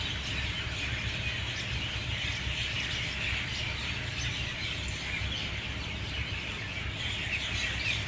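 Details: Dawn chorus of many mynas at 6:20 a.m., loud and unbroken: overlapping high chirps and squeaky notes blend into a steady bird din over low background rumble.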